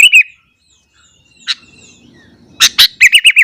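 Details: A sooty-headed bulbul sings fiercely in the morning to rile other bulbuls. A short warbled phrase opens, a single chip follows after a pause, then two loud notes lead into five quick, bouncing, liquid notes.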